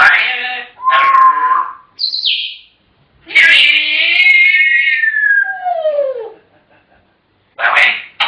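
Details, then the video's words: African grey parrots chattering: speech-like babble with harmonic bands, a high bright whistle near the two-second mark, then a long gliding, falling whistle-like phrase and short bursts of chatter. "Chatterboxes!! African Grey Parrots"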